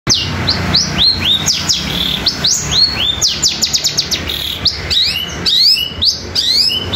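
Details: Long-tailed shrike song combined with fighting-sparrow sounds and nature material, in a fast rolling, rapid-fire style; a dense run of sharp high whistled notes sweeping up and down, with quick chattering bursts and a faint low hum beneath.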